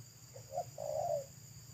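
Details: Wild local spotted dove by a roadside, its thick, loud voice in pesom style: two short soft notes followed by one long, throaty coo, heard once over a steady low hum.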